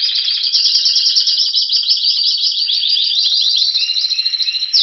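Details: Spanish Timbrado canary from Greece, February 2016, waiting for spring: a dense high buzzing trill held for seconds, easing into pulsed notes that quicken near the end and close with a single rising sweep.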